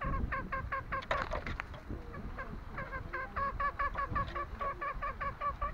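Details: Green junglefowl on Lombok uttering rapid repeated short, nasal harmonic notes, about two to three per second and slightly irregular, broken early by a burst of broadband clattering, with low rumbling noise throughout.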